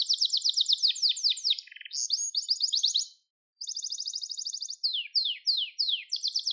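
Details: Gloster canary song, rapid rolling trills of high repeated notes, some fast descending sweeps, a lower buzzy section, and a brief pause mid-phrase before trilling resumes; clean recording with no other sounds.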